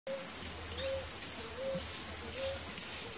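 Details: Pair of ruddy ground doves (Columbina talpacoti) calling: short, low, soft cooing notes with a slight upward slide, repeated about every half second, over a steady high-pitched insect chorus and a low hum.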